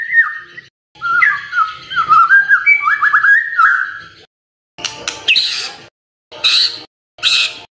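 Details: White-rumped shama singing in the morning, used to stir silent shamas into song: a flowing series of whistled, warbled phrases, then three short harsh buzzy bursts separated by silences.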